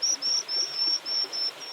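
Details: White-throated Dipper chicks in a nest on a remote stream high in the Mongolian Altai in summer, calling as a parent approaches with food: thin, high, piercing notes, about four a second in a steady run, over a soft background hiss.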